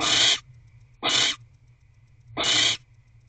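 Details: Female barn owl back in a nest box with her eggs on 15 January 2024, 6:17 pm: three harsh, rasping hissed screeches about a second apart, with a low steady hum between them.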